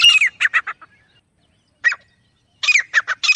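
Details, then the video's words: Francolin (teetar) calling in the wild in jungle; short clusters of loud grating, clipped notes separated by a silent gap, then a further rapid scratchy burst. "Acha Teetar Voice | Real Jungle Teetar Sound"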